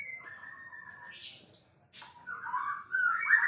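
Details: White-rumped shama, a strong-singing champion murai, giving varied song: low whistled phrases near the start, a high thin whistle, a sharp downward sweep, then rich warbled notes rising at the end.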